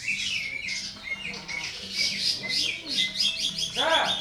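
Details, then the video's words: Greater green leafbird, a masteran recording for contest training with full rough bursts and combinations: dense, fast, high chirps and squawky whistled phrases tumbling without pause, over a low steady hum. "CUCAK IJO,MASTERAN CUCAK IJO lomba FULL TEMBAKAN KASAR,KOMBINASI"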